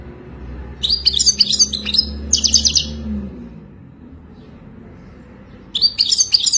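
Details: European goldfinch from Morocco, wild type, in wadani song: two quick bursts of bright tinkling trills and chips, a long pause with faint low hum, then singing resumes.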